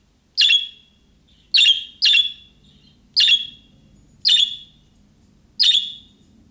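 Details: Young budgerigar-style calling chirps to draw a reply from other budgies; six clipped, buzzy notes roughly one second apart, one quick pair, over a faint low hum.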